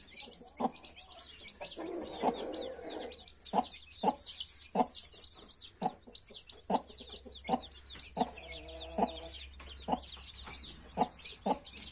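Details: Among 31 newly hatched chicks, the mother hen utters spaced, abrupt clucks and a brief murmuring run, with chick peeps high and continuous over a faint low hum.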